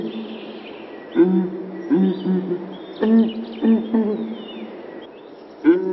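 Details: Low, resonant booms from a southern ground hornbill, several sustained hoots with rich overtones, set against steady ambient hum and faint high bird whistles.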